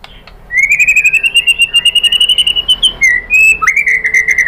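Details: White-rumped shama song played as a lure to provoke answering: one long sustained pure whistle, slightly rising and wavering, broken briefly before a second clear whistle near the end.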